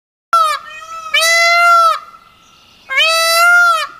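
A peacock gives three loud, nasal, wailing calls: a short first note, then two long, brassy cries with rich overtones, separated by pauses.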